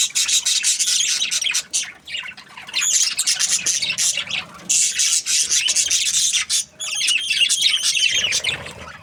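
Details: Continuous raspy chatter from Australian budgies: dense high chirping and squawks in long runs, broken by two short dips in loudness, then warbling squeaks near the end.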